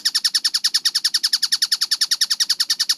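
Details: A tengkek buto (collared kingfisher) delivers a fast, regular run of clipped, strident notes at about seven per second. The series is unbroken and clear, with nothing else audible.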